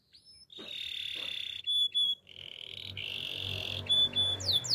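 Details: Spanish Timbrado canary song used for training: long, level metallic trills held near one pitch, broken by short bright chirps and a closing rapid rising sweep, over a faint low hum.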